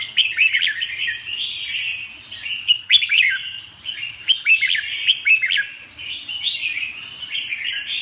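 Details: Red-whiskered bulbul in continuous lively song, a dense run of sharp whistled notes and bright chattering warbles that rise and fall without pause for about eight seconds.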